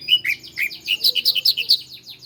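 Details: Bar-winged prinia, known locally as ciblek Koya, in a training master for cage birds: a rapid series of about fourteen bright, slightly descending chirps, evenly spaced and loud.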